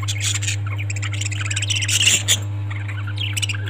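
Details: Caged pet budgies keep up a dense, continuous high warbling chatter of overlapping squeaks and twitters, with a low steady hum underneath.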